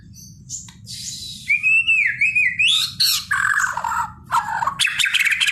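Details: White-rumped shama singing loudly over a steady low hum: a sliding whistled phrase rising and falling, then harsh scratchy buzzing notes and broad rasping bursts in quick succession.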